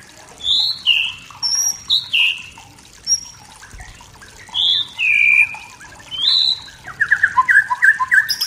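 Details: Singing to rile rivals, a wild forest white-rumped shama gives spaced, clear high whistles and downward slurs, then finishes with a fast run of rapid repeated notes.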